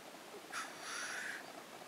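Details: Black grouse at a lek in Innvik, 2014: a single breathy, hissing sneeze of a little under a second, broad and airy, rising out of quiet background.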